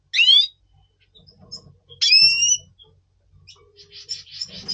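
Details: Red siskin of the double pastel mutation, in breeding condition in November 2023: two loud ringing slurred calls about two seconds apart, then a soft buzzy twittering trill over faint low rumbling.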